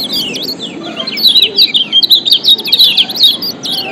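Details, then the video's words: Lombok kecial kuning white-eye, ciak calls used to lure other white-eyes: quickening strings of high, sharply slurred chirps, louder and denser after the first second, with several voices overlapping. "Kombinasi Ciak Joss Kecial Kuning PATEN‼️Ampuh Pancing Kecial Malas Auto GACOR‼️"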